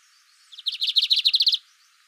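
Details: Lined seedeater song: a brisk trill of about ten crisp, high, evenly repeated notes lasting roughly one second, after a quiet start, then silence.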